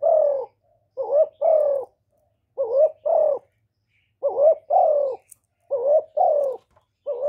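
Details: Spotted dove calling and cooing, played to stimulate male doves. The coos come in quick pairs: a short rising note, then a longer note that swells and falls. About five pairs arrive in a steady rhythm, and the background is quiet.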